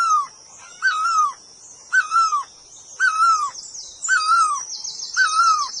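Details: Bird known locally as puj daum or นกตองล่อ calling: clear whistled notes, each slightly wavering then falling away, repeated about once a second, with faint higher chirping from other birds behind.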